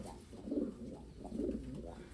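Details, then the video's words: Pigeons aged eleven and eight years giving low, soft coos, two rounded swelling phrases about a second apart over a faint background hum. "11 years 8 years old pigeons"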